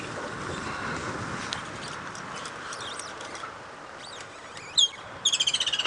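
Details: Woodland kingfisher (Halcyon senegalensis), very loud, perched atop a tree on a sunrise safari drive at 7 AM, 1 February, Djuma area, South Africa: a sharp high note, then a fast trill of about a dozen pulses, over hiss and faint chirps.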